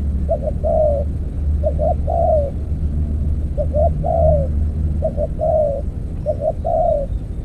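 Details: Decoy trapping of spotted doves with an earthen trap; a dove gives a paired short hoot and then a drawn-out coo, the phrase repeated steadily against heavy low background rumble.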